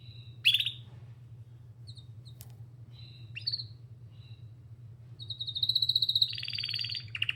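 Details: Canary begins with scattered sharp chirps and soft whistles, then launches into a sustained high trilled roll that rises in intensity; low hum and light room noise underneath.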